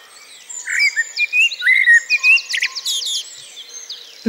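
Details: A male song thrush sings a rapid run of varied, bright whistled and chirping phrases from an ash tree at a field edge during the spring dawn chorus in the British countryside. He is calling for a mate and claiming territory, then trails off.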